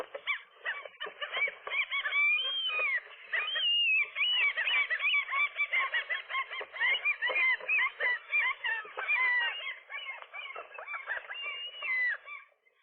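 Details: Nesting gull pair on a rooftop in the morning, fighting off a single intruding gull that tried to get between male and female; dense, continuous squealing and yelping calls overlapping throughout, with a brief lull near four seconds.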